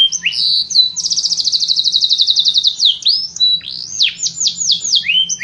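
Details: A canary sings a few swooping notes, then a long, rapid, even trill of fine repeated notes, then loud broad downward sweeps and high slurred whistles.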